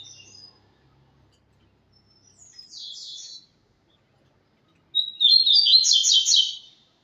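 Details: Tui-tui song of a double-collared seedeater: a brief buzzy burst first, then after a pause a longer phrase that starts with a clear note and rolls into rapid, rattling high chatter.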